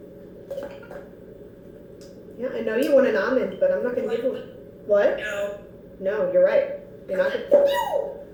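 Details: A pet female African grey parrot, just brought home after a stay with a friend and more excited and noisy than talkative, talks in short speech-like bursts with wavering, voice-like pitch and brief pauses.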